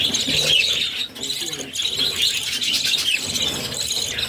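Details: Baby budgerigars fed by their mother, six chicks: harsh high squealing and chattering in dense overlapping bursts, with one short lull after the first second.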